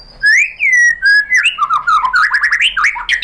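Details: White-rumped shama lure song meant to make another shama answer: loud, continuous run of rich whistles, slurred downward notes and rapid rolling phrases with no pauses.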